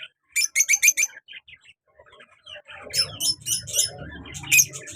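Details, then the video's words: Pet lovebird pair, a colour male and a black-mask female, kept active and lively: a quick run of sharp, high chirps, then scattered softer notes, then a burst of bright chirping over a low rumbling background. "colour love bird male and black mask female beautiful sounds"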